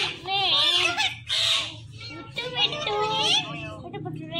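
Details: Talkative pet Indian ringneck parakeet mimicking speech in loud, harsh voice-like phrases with wavering tones, in short bursts separated by brief pauses, over a low background hum.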